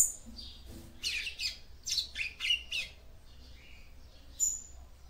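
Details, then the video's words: Female double-collared seedeater singing to stimulate the male: a series of rough, scratchy high notes about half a second apart, then a thin whistle, over a low hum. "CANTO DE FÊMEA PAPA CAPIM PARA ESQUENTAR SEU MACHO"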